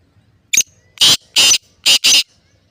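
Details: Harsh, rasping phrase of a black francolin (kala teetar) in Layyah district, dated 22 March 2024: a brief clipped opening note, then two long grating notes and a quick closing pair. Quiet surroundings, faint low rumble.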